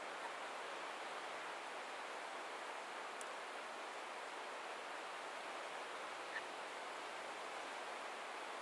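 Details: Even hissing background noise like rushing water throughout, with one tiny tick and no clear animal call.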